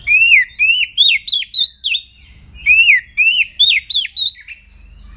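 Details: Agitated oriental magpie-robin song used as a lure so other magpie-robins start singing. A looping, sweet whistled phrase of rising and falling notes, sung twice with a short pause between, crisp and loud against a quiet background.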